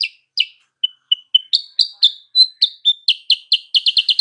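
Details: Sooty-headed bulbul song played as a lure to provoke rival birds: a few spaced double chirps and clear short whistles, building into a quickening series of bright chirps that ends in a tight, rapid burst.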